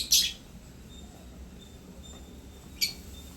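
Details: African lovebirds in a happy mood at playtime, kept indoors: two short, shrill, high chirps, one right at the start and another near the end, with only a faint low room hum in between.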